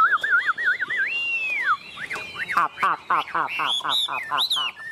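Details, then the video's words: Chinese hwamei, tame and perched on a hand, singing strongly: wavering whistles and a long arched slur, followed by rapid repeated notes and rising whistled flourishes. "Họa mi ôm cóng cực sung trên tay - Chim thuần đét đẹt"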